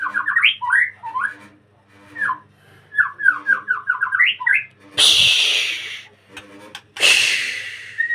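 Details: Caged white-rumped shama at a breeding enclosure giving bursts of quick, slurred whistled notes in repeated runs, followed by two loud rushing noise bursts.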